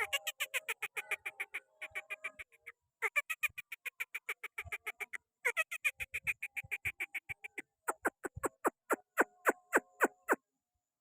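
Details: Pakistani green parrot perched on a person's hand, giving a rapid run of harsh, nasal squawking notes at about three or four per second, broken by brief pauses, then sharper, more spaced clicks toward the end.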